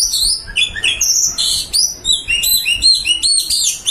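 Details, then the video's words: Oriental magpie-robin, white-breasted form, delivering full isian song: a dense stream of clear, high whistled phrases, quick upward and downward slurs and repeated chips. "Burung kacer dada putih full isian"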